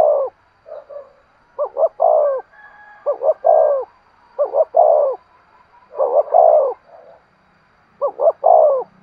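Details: Cooing spotted dove used as a lure for wild birds, repeating a phrase of two brief coos and a longer coo about every one and a half seconds, with faint higher tones behind.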